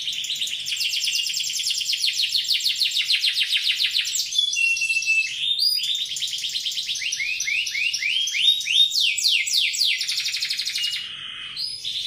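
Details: Canary with a powerful, far-carrying voice singing long rapid trills, shifting through several phrase types with buzzy rolls and quick descending sweeps, nearly nonstop over twelve seconds; offered as tutor material for songbirds.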